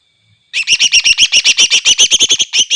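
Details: Prolific greater green leafbird song meant to make other leafbirds furious: after a half-second pause, a rapid, even run of sharp, ringing chip notes, roughly six per second, bright and metallic, with no other sounds.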